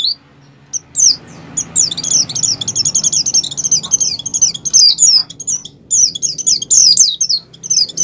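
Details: Ngalas-style song of an aroused Oriental white-eye, used to make caged white-eyes sing; after a few isolated notes, a dense chattering run of high, thin, sliding chirps continues almost without pause.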